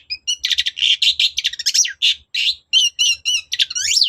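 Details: Long-tailed shrike (cendet) in full, persistent song to prompt a reply: a rapid, continuous stream of warbled and mimicked notes, trills and sweeping whistles with barely a pause.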